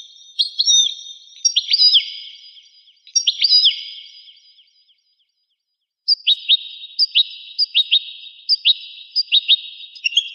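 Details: European goldfinch from a rare 1985 recording: a few slurred, twanging phrases, a silent gap, then evenly spaced sharp chirps repeated roughly every half-second, high and clear.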